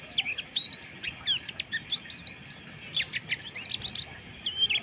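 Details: Harsh twittering of white-eyes used to stir breeding arousal, a busy stream of sharp high chirps and quick down-slurred notes pulsing in short bursts, over faint low hiss.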